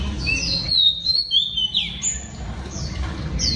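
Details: Female Oriental Magpie Robin singing to excite males: sweet whistled slurs, some falling and some rising, given in quick succession above a constant low background hum.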